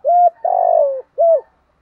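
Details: Spotted dove thúc gù cooing, from male and female birds, used for training and luring: a steady coo, a long pulsing coo easing downward, then a brief dropping coo, all low and close.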